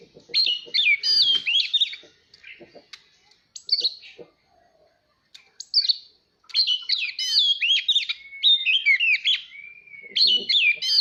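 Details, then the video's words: Oriental magpie-robin singing, played to train young birds and spur singing duels: rapid, varied whistled phrases in long loud bursts separated by short quiet gaps, with soft clicks in the pauses. "Chòe than hót /kích chim hót đấu /luyện giọng chim non"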